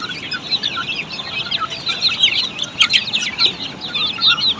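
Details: Australorp chicks on a poultry farm produce a thick wash of high, downslurred peeps, many birds calling at once without pause.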